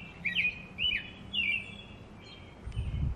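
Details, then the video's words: An American robin sings three quick, slurred whistled phrases, rising then falling, about half a second apart, over a low hum and a soft thump at the end. "American Robin Singing"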